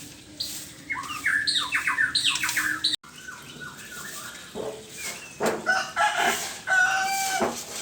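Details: White-rumped shama singing in the morning: about three seconds of rich, varied whistled phrases with rapid rising and falling notes, then an abrupt break followed by quieter scattered notes, sharp clicks and background chirps.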